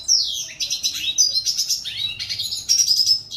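Red siskin singing a fast, continuous twittering song of high buzzy trills and descending slurred notes, with quick chattering phrases running together.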